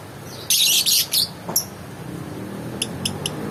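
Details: Loud, grating screeches from a lovebird in three quick bursts, then a single short squeak and three faint, evenly spaced thin chirps trailing off.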